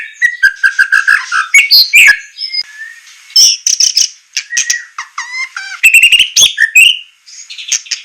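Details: White-rumped shama song with rough shots for training captive birds: descending run of quick notes, harsh bursts, clear whistled slurs and a rising series of fast ticks, varied and loud.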